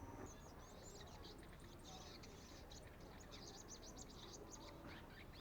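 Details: Practice singing by a young sunbird: a long, uneven stream of thin, high-pitched ticks and squeaks, repeated rapidly throughout, over a constant low rumble.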